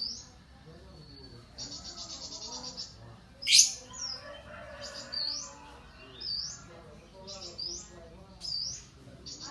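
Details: Competition lovebird delivering 'isian kapas' song: a buzzy pulsed trill early on, then a loud sharp sweep and a run of short, high, upward-flicking chirps spaced about a second apart, with soft background murmur.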